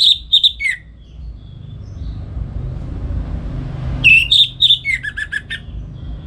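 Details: Home-kept orange-headed thrush, morning ngeplong song for teaching songbirds: bright whistled notes at the start, a long quiet gap with low rumble, then a fast phrase of sweet whistles and dropping slurred notes.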